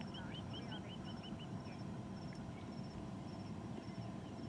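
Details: At dawn on a cloudy, fairly quiet late-August morning in South Africa, as spring approaches, a drongo imitates a crested francolin with a quick run of about seven short, rising notes. A thin ticking runs above, with a low engine rumble underneath.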